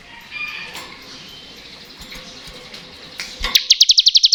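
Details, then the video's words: Bar-winged prinia, crystal type, singing ngebren to encourage lazy birds: faint background chatter at first, then a sharp note and a quick run of bright high pulses at the end. "Ciblek Ngebren Cocok Untuk Pancingan Ciblek Bahan dan Ciblek Malas Bunyi | Ciblek Kristal Gacor"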